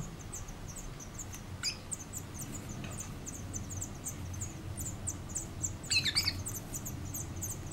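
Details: At a Collado Villalba nest in 2018, female and male black redstarts bring caterpillars to two five-day-old chicks; a rapid series of thin, high chirps continues throughout, with a few louder sharp notes near the end over low hum.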